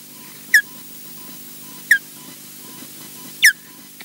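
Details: Ospreys on a nest camera at Loch Garten, Scotland, the male landing on another osprey's back; three crisp, high descending whistle notes about one to one and a half seconds apart, a steady electronic hum beneath.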